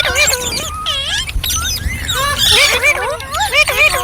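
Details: Rose-ringed parakeet making talking and singing sounds: quick chattering, speech-like syllables and bent, looping whistled notes that dip and rise, some high squeaks, steady throughout a short burst.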